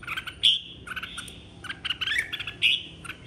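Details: Red-whiskered bulbul in a 2023 singing contest, roused to sing and calling its flock: quick chirpy phrases and sharp whistled accents in a lively, uneven stream.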